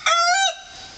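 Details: Malnad naati rooster, a heritage chicken breed from the Western Ghats region that manages his flock of hens. He gives a single loud, rich, harmonic call lasting about half a second, held level and then dipping slightly before cutting off.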